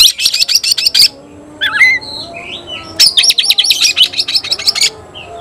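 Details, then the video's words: Fight-challenge calling from an Oriental magpie-robin: a second of rapid rasping chatter, a few low slurred whistles, then another long burst of harsh, fast-repeated notes. "Teriakan KACER panggil lawan tarung"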